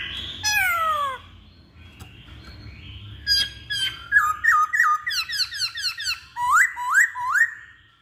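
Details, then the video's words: Masked laughingthrush song meant to stir other birds to sing: a loud descending slur, a quiet gap, then a rapid run of short hooked whistled notes, about two to three per second. "Pancingan Poksay Hongkong"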